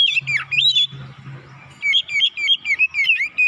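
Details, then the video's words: Oriental magpie-robin (kacer) lure song meant to provoke other birds: varied whistled and chattering phrases around the upper-middle range, a rapid run of short repeated notes after a brief pause, with a low hum beneath the first half. "PANCINGAN KACER CEPAT KONSLET NGOTOT BONGKAR ISIAN"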